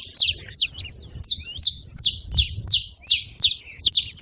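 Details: Saffron finches together giving loud high chirps, each sharply falling, spaced roughly three per second in an uneven rhythm, with quiet background.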